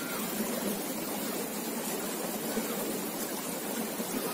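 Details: Steady rushing hiss like flowing water, without any audible bird song or other animal voice.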